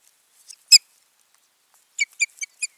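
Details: A pair of ospreys at the nest on 14 June 2019. One loud, sharp, high chirp, then a tight run of four or five piercing whistled notes after a short silence.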